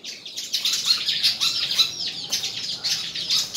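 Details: White-throated fantail competing in song at Tân Qui, Củ Chi, Vietnam: very fast, tumbling high chirps, roughly 167 notes a minute, in a breathless stream of tinkling squeaks.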